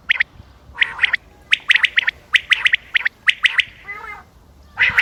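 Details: Common quail calling on 28 May 2025: bright, abrupt notes delivered in rapid groups of two or three, a soft grating buzz near the end, then another burst of calls.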